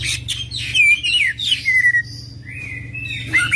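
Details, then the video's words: Oriental magpie-robin singing a 'full isian' song: quick descending whistled slurs and squeaky notes, a thin sustained warble, then renewed sharp whistles, with a low background hum. "Kacer Full Isian ngerol gacor dorrr"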